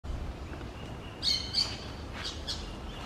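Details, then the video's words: Green parakeets, an outcast bird trying to communicate with a flock: two short, high, sharp chirps close together, followed by a few fainter chirps, over steady low background noise. "PERICOS VERDES un desterrado intentando comunicarse con una pardada"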